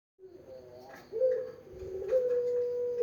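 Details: Barbary dove of the melodious pelung style giving a low tonal coo: a short opening note, then a rising, drawn-out hum held steadily to the end, in a quiet indoor-sounding setting.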